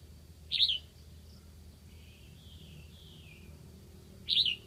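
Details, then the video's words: Red-whiskered bulbul used as a decoy in Lạng Sơn, calling to attract wild birds: two loud, quick warbled whistle bursts about four seconds apart, with softer distant whistling between them and a steady low rumble. "Mào mồi gáy kiểu này liệu có gọi được bổi không đây?"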